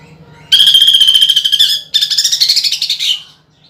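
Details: Greater green leafbird in full song with pelatuk bawang woodpecker imitation, used as a contest lure. Two loud buzzy trills, the first with a steady whistled core, split by a brief break, then a fade.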